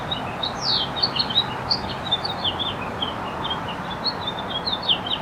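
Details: House finch singing from the top of a wire on motel grounds in California, audio cleaned up afterwards; a lively run of short, sharp chirps and twittering warbled notes, tumbling continuously over a steady low background hum.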